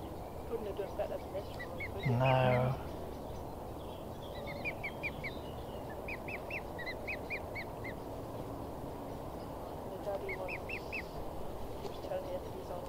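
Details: Chatterbox swan cygnet at Newsham Burn Pond, Blyth, 6 June 2016, on a pleasant day: bursts of quick, thin, high peeps in clusters, broken early by one loud, low honk, over steady background rumble.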